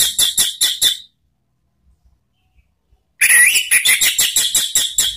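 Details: Orange-headed thrush, a lure recording for training cage birds in the ngeriwik style. A short run of rapid high chirps is followed by silence, then a longer burst that starts with a whistle and continues in evenly pulsed, scratchy notes.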